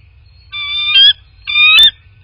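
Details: Bald eagle at a nest in rural southwest Florida, nest-camera recording from 25 February 2024 at 16:15: two loud, piercing, drawn-out whistled notes with rich overtones, each about half a second, separated by a short pause.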